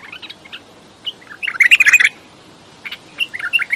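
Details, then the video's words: Bulbul song: a loud tumbling phrase of rapid warbled notes in the middle, framed by softer scattered chirps and short fluty whistles. "بلبل راقئ بلبل السورئ بلبل الصحرائی بلبل وحشئ"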